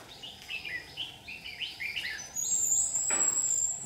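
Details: Red-whiskered bulbul used as a decoy during trapping, recorded 22 July 2019. Short falling chirps repeat rapidly for two seconds. A loud, thin, high whistle and a brief rustle follow.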